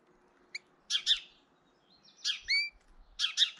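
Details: European goldfinch intimidating another goldfinch, filmed in early April: clusters of high, rasping double chirps and a thin rising note, repeated about every second, with faint low thumps.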